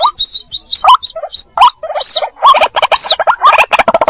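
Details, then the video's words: White-breasted waterhen chicks calling the mother, used as a bird lure: scattered short squeaky notes and rising yelps, a couple of thin downslurred whistles, quickening into a rapid stutter at the end. "suara pikat ruak-ruak mp3 anakan panggil indukan"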